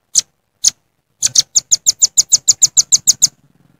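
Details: Jontrot call of a velvet-fronted nuthatch in the wild, directed at rivals: two separate high chips, then a quick, regular volley of about fourteen shrill notes fading into faint ticking.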